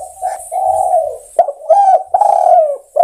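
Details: Spotted dove calling to other doves: loud, mellow coos in a rough series, each a short rising note followed by longer, drawn-out level coos with slight harmonics, broken by brief pauses and a few sharp clicks.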